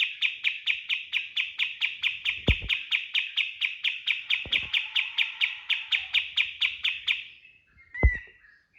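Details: Kapas tembak delivering its 'tembakan' lure song for training birds: a long, fast train of sharp, high chipping notes lasting about seven seconds, then silence and one short slurred whistle, with a few low knocks.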